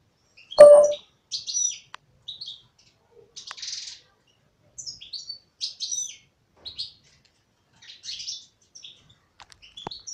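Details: Female European goldfinch: scattered short high chirps and twitters, spaced irregularly across the span, with one sharp low knock near the start and quiet pauses between notes.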